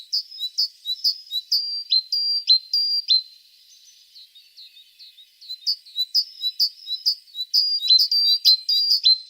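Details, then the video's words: A tit repeats sharp, high two-part notes in quick rhythmic series, pauses briefly, then resumes the same insistent, regular pattern. "The sound of a tit singing"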